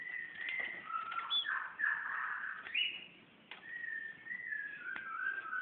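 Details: A magpie-robin sings at a mirror in Brunei, 2013, heard more distantly over steady background noise: sliding whistles and warbled phrases, followed by a man speaking.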